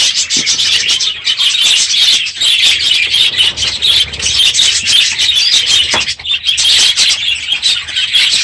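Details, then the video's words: Morning din from a packed aviary of budgerigars as the breeding season ends; continuous bright chattering and warbles, sharp chirps scattered over the dense background. "My Budgies Today - NOISY birds this morning!"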